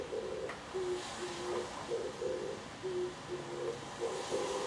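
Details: Wild Oriental turtle dove perched on a power line, heard from a balcony: low, muffled cooing phrases of short paired and longer drawn notes, repeating in a rhythmic pattern over steady hiss and distant town noise.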